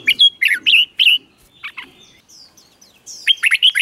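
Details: Red-whiskered bulbul in the doubled 'berl' singing style for young birds to copy: choppy whistled notes at a brisk pace, a short lull with thin high calls, then a fast burst of warbled notes.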